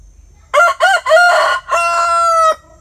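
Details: A rooster gives one full crow, three or four choppy rising syllables followed by a long sustained, slightly falling closing note.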